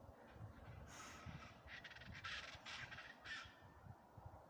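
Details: Chachalacas, known locally in Sinaloa, Mexico as cuichis and described as wild chickens, calling on a small mountain; a run of harsh, raspy squawks repeated in quick bursts, faint and distant, with wind and rustling nearby.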